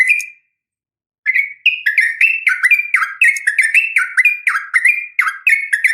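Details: Female Sooty-headed bulbul calling to a male with a sharp fighting call to spur bulbuls to respond: one short chirp, a pause, then a steady run of lively, bubbling, up-and-down chirps.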